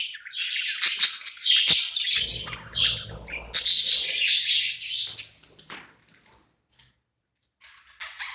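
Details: Budgerigar at night, content in its new home, sings a busy scratchy warble of chirps and clicks, with a low background hum partway, then trails off into near silence with a few final chirps.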